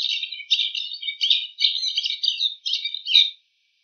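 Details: Bull-headed shrike in the wild mimicking other birds' calls, a continuous jumble of harsh, chattering and twittering high notes delivered in quick packed phrases with brief gaps, ending abruptly into silence.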